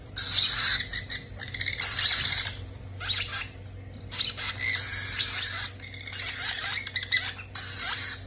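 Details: Parrot chicks being fed, giving harsh, hissing, raspy begging bursts, seven rough outbursts in about eight seconds, each under a second long, separated by short quieter gaps with faint rustling.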